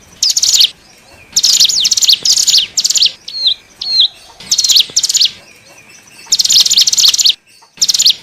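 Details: Hill prinia (ciblek gunung) luring calls meant to attract wild cigun: long runs of fast, high, buzzy trilled notes in loud bursts, with a few short level whistles in a quieter middle stretch.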